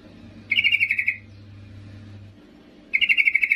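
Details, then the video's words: Yellow-vented bulbul, a female calling to the male: two rapid chattering bursts of bright, evenly spaced notes, each about half a second long and roughly two seconds apart, with low hum between. "Trucuk BETINA MEMANGGIL JANTAN"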